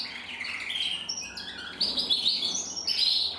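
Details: Two male red-black canaries, intensive and frosted, singing: soft warbled trilling at first, then louder high chattering phrases in quick succession.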